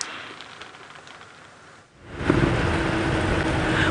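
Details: Early morning safari drive at sunrise: broad rumbling noise like a vehicle engine or rain, with a brief quiet dip midway before the sound swells louder again; no animal voices stand out.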